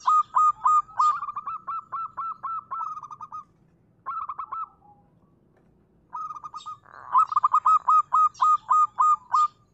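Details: Perkutut, the local zebra dove, delivering long rapid trains of crisp repeated coo notes, about four per second, broken by a short pause before a loud final series.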